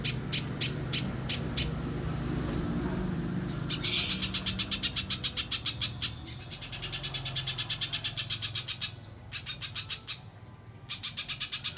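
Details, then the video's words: Pijantung pisang spiderhunter in mbeset style, recorded to train contest songbirds: a few spaced high chips speed up into very fast repeated bright notes in several long runs separated by short pauses. "Top Masteran Burung Pijantung Pisang Mbeset Suara Jernih Yang Disukai Juri Lomba"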